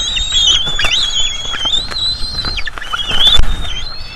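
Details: Juvenile bald eagles at a North East Florida nest, fed at food delivery, give a continuous stream of high, wavering whistled squeals with crackling clicks and rustling, over low background noise.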